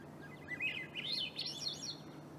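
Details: Swainson's Thrush singing in Coast Range foothill forest at Peavy Arboretum and McDonald Forest in late May; a short spiraling phrase of fluty notes climbing steadily upward in pitch, over a quiet low background hum.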